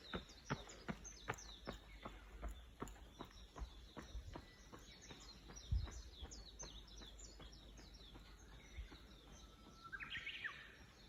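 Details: Birds chattering in the morning: thin high chirps scattered throughout, with a louder brief call near the end. Sharp, regular clicks or knocks run through the background.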